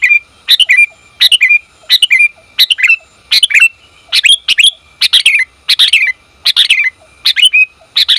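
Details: A female sooty-headed bulbul calls the male with rapid, irregular bursts of doubled high chirps, some ending in downward slurs. The calls are close and clear, recorded for training and luring bulbuls.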